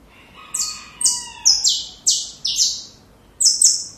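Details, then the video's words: Saffron finch song meant for training young birds: a string of high falling chirps over a faint steady lower whistle, ending in a rapid double note. "Canário da Terra Canto Perfeito Para filhotes"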